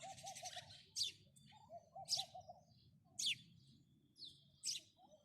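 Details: Single sharp house sparrow chirps spaced about a second apart, dropping steeply in pitch, against recurring low hooted note groups from another bird.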